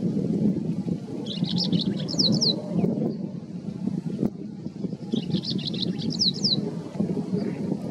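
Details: White-browed wagtail giving two short bursts of high, thin, twittering notes about four seconds apart, each a rapid cluster of slurred chirps, against constant low rushing background noise.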